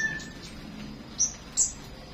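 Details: Flowerpecker heard in the morning giving two brief, bright, very high chirps about a third of a second apart, after a quieter stretch with a faint high whine.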